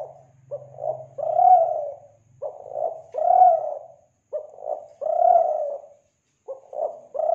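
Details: Lure call of a Kelantan spotted dove: deep, soft coos in repeating phrases of quick notes and a long sustained coo, a faint low hum at the start, then quiet gaps.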